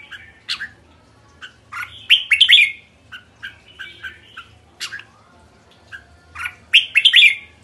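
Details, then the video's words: Red-whiskered bulbul repeating short bright whistled phrases, two loud warbled bursts several seconds apart with scattered single chirps between, in a quiet setting. "Merbah jambul kekek"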